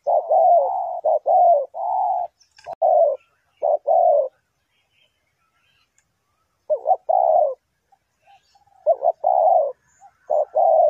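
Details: Spotted dove kept as a trapping lure, cooing in bursts of paired notes, each a short coo followed by a longer drawn-out one, with a silent pause mid-clip before the calls resume.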